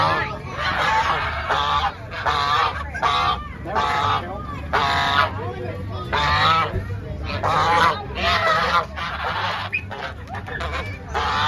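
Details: Angry goose honking loudly in a series of harsh, nasal blasts, about eleven in eleven seconds, each roughly half a second long with a rough, buzzy tone, separated by short gaps; low background rumble throughout.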